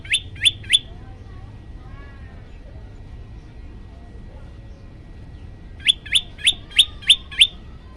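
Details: Yellow-bellied prinia song from a master recording aimed at agitating other birds: a burst of three sharp high chirps, a pause of about five seconds, then six more quick, evenly spaced notes.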